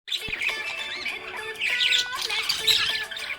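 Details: Happy budgerigar chirping: a busy, high twittering chatter of quick chirps and warbles, with steady low tones humming underneath like background music.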